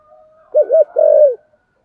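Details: Spotted dove in thổ sấm voice: two quick hollow hoots followed by a long sustained coo that dips at the close, preceded by a faint steady tone.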